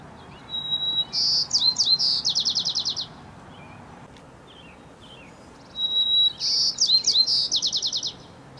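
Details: Chickadee morning song: two phrases, each a thin high whistled note followed by a quick run of buzzy, repeated 'dee' notes, over a low steady background rumble.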